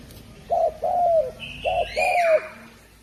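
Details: Spotted dove, called derkuku Jawa, gives two paired coos, short then long with a sinking finish. A higher slurred note slides down over the second pair.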